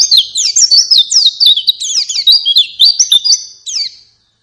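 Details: Energetic white-eye song played as a lure for caged birds: a dense chain of high, zigzagging chirps and short whistles, evenly paced, fading out after about four seconds.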